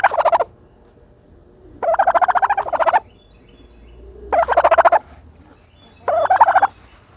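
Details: While rolling in dirt, a turkey utters four bursts of quick stuttering pulses, the second longest at over a second, with short silences between.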